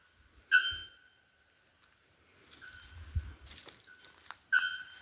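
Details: Bare-throated bellbird (araponga) singing: loud, ringing metallic notes, one near the start and another about four seconds later, with thin, even tones between them and faint rustling in the background.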